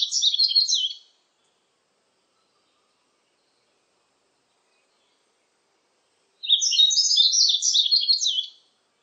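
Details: Yellow-throated bunting singing, recorded in 2020 for a national biological resources archive: a brisk two-second burst of high, tumbling twitters, a pause of about five seconds, then another similar phrase; clean background.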